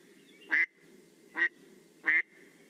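American Black Duck giving three rough, nasal quacks, slow and evenly spaced about every 0.8 seconds, over a low steady background hum.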